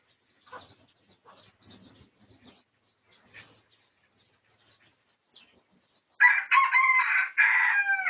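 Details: Soft chatter and high twittering of small birds give way to a loud, harsh, segmented crow of about two seconds from a Pradu-coloured red junglefowl, recorded for research on 18 August 2023.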